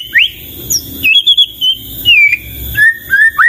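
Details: Melodious song of a white-rumped shama (murai batu): clear whistled notes at varied pitches, some held and some sharply rising, delivered in short bursts with brief gaps.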